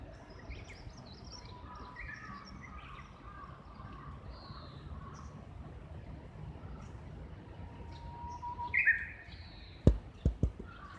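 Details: Japanese bush warbler heard from a friend's second-floor window, calling back and forth with a nearby companion or mate: a long steady whistle rises into a quick bright flourish near the end, over soft chirping from other birds and steady background noise.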